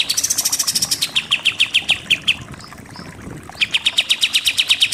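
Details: Pied triller delivering 'nembak' shooting-style song for training contest birds: a rapid high run of notes, a slower string of sharp chips, a short gap, then another quick volley.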